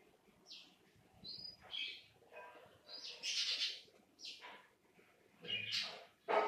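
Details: Two-day-old black-throated canary (Crithagra atrogularis) chicks with a canary hen give thin, high, wheezy peeps in short bursts, roughly every second, with faint rustling between calls.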